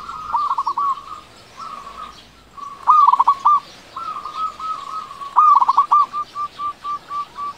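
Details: Local zebra dove with a big voice, kept to lure doves that are slow to call: rolling coo phrases building to loud stuttering bursts, ending in a string of short even-spaced notes.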